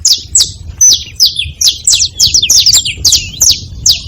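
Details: Sharp, piercing chirps from saffron finches at a feeding spot, each note dropping quickly in pitch, delivered in a brisk, slightly irregular series of about a dozen notes.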